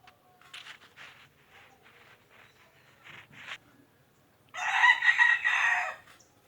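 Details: Faint bird calls and chirps lead into a loud rooster crow, a rough, drawn-out cock-a-doodle-doo near the end lasting about one and a half seconds.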